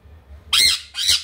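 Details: A young sun conure, growing and turning yellow and calling constantly, gives two harsh, shrill screeches about half a second apart, loud and piercing, with a faint low hum behind.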